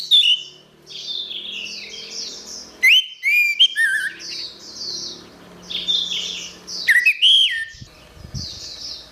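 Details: Orange-headed thrush in a recording for training songbirds: loud bursts of rich whistles and twisting slurs at two points several seconds apart, separated by soft continuous high twittering, with a brief low rustle near the end.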